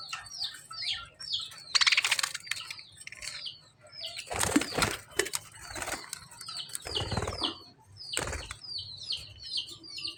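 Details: Chirping lovebird giving rows of brief high down-slurred chirps, interrupted several times by loud broadband rustling bursts like flapping wings, over a low steady background hum.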